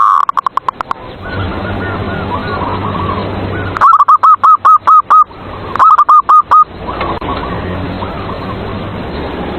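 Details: Zebra dove (perkutut) song played as a lure to stir caged rivals into singing: two bursts of rapid, evenly spaced rounded coos, seven and four notes, over softer distant dove cooing and low background hum.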